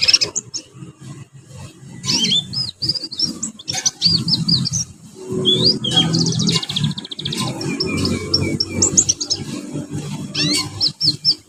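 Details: Young canaries in a group learning to sing, used as a lure song for training young birds: bursts of high twittering and short rising whistled notes over a steady low rumbling background.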